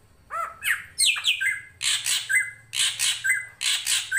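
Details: Drongo (srigunting krantil) master song for tutoring other songbirds: quick descending whistles lead into a dense run of harsh, buzzy chattering notes about every quarter second, with flowing water in the background.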